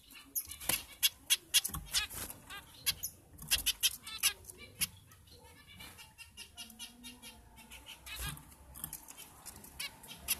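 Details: Zebra finches (Taeniopygia guttata) in a breeding setup call with quick nasal beeps, mostly after six seconds, over frequent loud clicks and wing-flapping noises.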